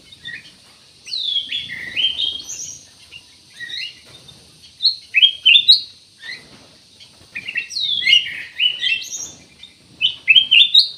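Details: Ruby-throated bulbul, known locally as cucak emas or kutilang emas, singing bright, chirpy two-to-four-note phrases in quick bursts with short pauses, notes sliding up and down, on a quiet background.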